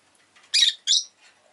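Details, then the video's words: Rosy-faced lovebird (Agapornis roseicollis) kept as a pet, giving two loud, harsh, high chirps in quick succession, with faint softer chatter before and after. "Lovebird Chirping Sounds"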